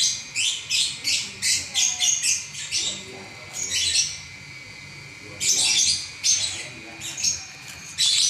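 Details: Champion lovebird singing without a break for eleven minutes: rapid strings of piercing high chirps crowd together, fall quiet for about a second, then resume in dense squeaky clusters.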